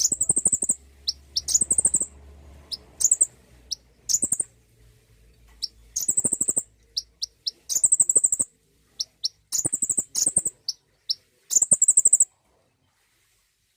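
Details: Prompting song of a common iora: sharp, very high single chips mixed with rapid rattling trills, phrases coming every second or two, with a faint low hum in the first seconds.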